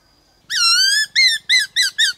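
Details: Bright, strongly harmonic whistles from a black-throated laughingthrush in 'đảo giọng' style, used to stimulate other birds: one long slightly wavering note, then four short arched notes in quick even succession.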